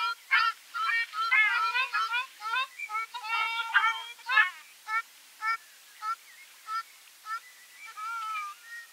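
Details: Ruddy shelduck calling: loud nasal honks with strong harmonic bands, delivered in a rapid overlapping burst, then spaced single honks repeated roughly every half second to second, several birds seemingly calling together.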